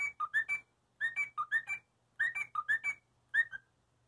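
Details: Cockatiel playing on a parakeet-sized gym whistles short runs of rising, clear notes in quick phrases, pausing briefly between them.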